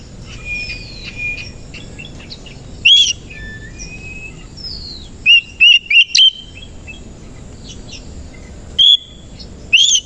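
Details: Morning song of a kacer koci, the Oriental magpie-robin, given with tail spread; soft thin whistles at first, then loud short bright notes in a quick cluster and isolated loud calls.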